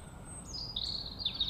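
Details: Bird chirping on a beautiful day: a high, thin whistled phrase that steps downward, then a sustained, slightly trilled high note with brief flicks, over a faint steady high tone and low background hum.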